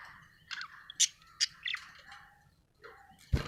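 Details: Happy pet budgerigar chirping in quick irregular bursts, sharp high tweets and short warbles roughly every half second, ending with a loud broadband clack.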